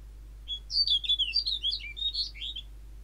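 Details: A snow bunting among a group by a roadside in Joroinen, Finland, on 23 March gives one brisk two-second phrase of quick, varied high twitters and short warbled notes over a faint low hum.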